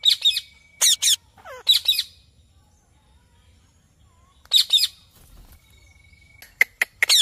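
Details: A talking pet Indian ringneck parakeet gives loud, harsh, high-pitched bursts in short clusters with one sliding squawk, separated by quiet pauses and a faint thin steady tone; the word "mate" is spoken nearby.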